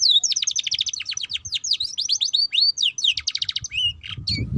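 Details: Canary song for training young canaries to chatter quickly: a clean, continuous run of fast trills and steep whistled sweeps, varied phrases packed tightly together, a brief low noise at the end.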